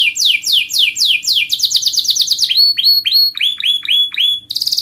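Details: Panda canary singing vigorously: rapid series of descending swept trill notes, then a run of sharp rising-falling whistled notes around the same high pitch, ending in a brief buzzy burst; faint low hum beneath.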